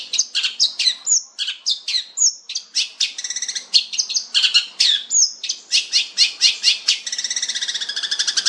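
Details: Fierce, rich-voiced long-tailed shrike, or cendet, pouring out a busy medley of high whistles, sharp chips and buzzy notes, ending in a fast, even rattle of clicks.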